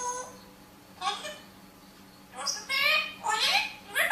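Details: Talking parrot: a run of hoarse, word-like syllables, some rising and strongly harmonic, growing louder toward the end, with a low room hum throughout.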